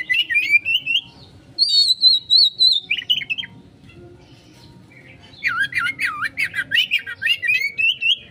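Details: Oriental magpie-robin singing konslet style as a lure for a quick response: chattering whistles, a long sustained high whistle, then a fast stream of swooping looped notes repeated several times per second.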